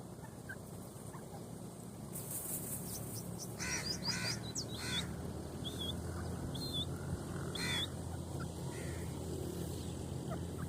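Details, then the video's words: Grey francolin, male and female, calling: loud, harsh, grating notes in an uneven run, mixed with a few sharp higher squeaks. A constant low rumble sits underneath. "grey francolin Birds sound male and female voice"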